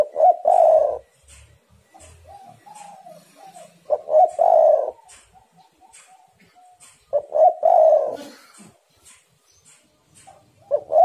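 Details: Spotted doves singing vigorously against each other, recorded for luring: three low cooing phrases, each a pair of clipped notes and a long rolled coo, about every three and a half seconds, with faint whistles between.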